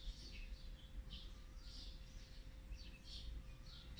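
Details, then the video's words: Nestling olive-backed sunbirds, fourth brood, fed on the eighteenth day, 8 March 2020; scattered high thin squeaky notes at irregular intervals above a constant low hum. "นกกินปลีอกเหลือง รุ่น๔ ป้อนอาหารวันที่๑๘"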